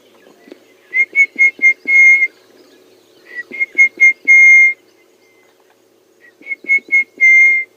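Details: On a September morning safari drive, an orange-breasted bush-shrike, heard calling for the first time since the rains came, gives three clear whistled phrases of four or five quick notes, each ending in a long held whistle.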